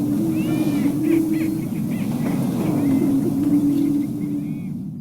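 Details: Greater prairie-chickens boom on open prairie rangeland in a steady, low, hollow moaning chorus that carries for miles, with faint higher chirps and whistles of Western meadowlarks and a grasshopper sparrow over the top.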